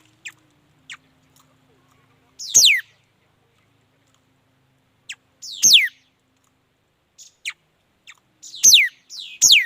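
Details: Mi dat bird song delivered sparsely: a few thin high ticks, then single loud descending whistled sweeps separated by long pauses, ending with two close sweeps and scattered high chips.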